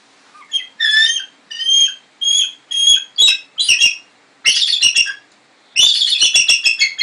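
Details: Captive twenty-year-old female bald eagle, rescued near Sitka with part of one wing missing, gives a run of separate high piping notes, then a few sharp yelps and two fast, rattling chatter bursts; no other sounds.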